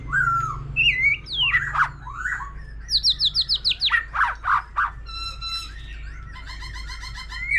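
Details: Mature wild-caught white-rumped shama singing with a laughingthrush: slurred whistles, a fast run of high descending notes with loud chips, then a rapid rattling trill and a rising whistle, over a low hum.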